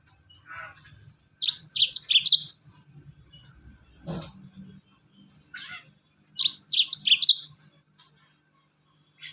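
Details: Lure song of a Mozambique canary, "rol tembak" type, which makes other birds join in: two bright fast warbled phrases, each ending in a short clear whistle, with a few faint scattered calls between them.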